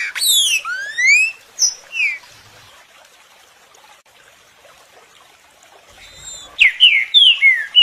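Green-winged saltator singing loud, rich whistled phrases of sliding rising and falling notes in two bursts, separated by a few seconds of quiet.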